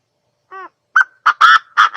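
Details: Quail calling: a soft, tonal opening note, then a sharp clipped burst followed by four loud, harsh, raspy bursts in quick succession over about a second, with a quiet background.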